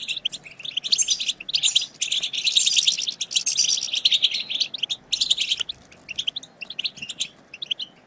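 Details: European goldfinch twittering, played to excite and stimulate other goldfinches into singing; dense, continuous high tinkling chatter with bright buzzy trills in bursts, briefly dropping out before fading into softer scattered chirps toward the end.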